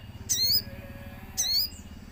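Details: Common iora lure call with nature sounds: two bright, slurred high notes about a second apart over a steady low hum.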